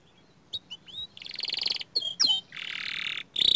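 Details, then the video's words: Young small-standard canary giving scattered thin whistles and slurs between buzzy, rasping rolls, with a sharp up-and-down note near the middle. Soft background hiss throughout. "Kicauan Burung Kenari Muda Gacor"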